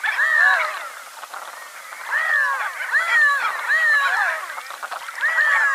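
Several Redheads give nasal, cat-like mewing calls that rise and then fall, overlapping and repeating every second or two against a soft background hiss.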